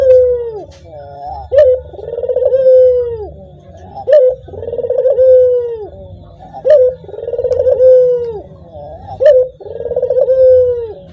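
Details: Puter, a ringneck dove, cooing steadily: each phrase opens with a sharp short note followed by a long purring, rolling coo, repeated about every two and a half seconds over a low hum.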